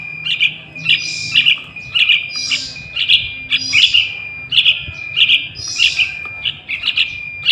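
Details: Young trucukan calling repeatedly, used as a lure for catching wild trucukan; bright chirping notes clustered around a steady high tone, bursts roughly every half second with brief pauses, low hum beneath.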